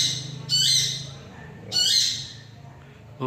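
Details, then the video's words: Long-tailed shrike, said to mimic other birds' songs, giving two loud, harsh, buzzy squawks about a second apart, each lasting under half a second, over a low steady hum. "Burung CENDET ,Bisa Meniru Kicauan Burung apa saja"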